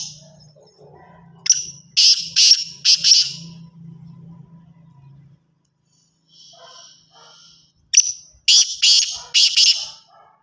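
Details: Black francolin calling twice, each phrase a thin high opening note followed by three or four loud, harsh, grating notes in quick succession; a low steady hum runs beneath the first half, with faint softer sounds between phrases.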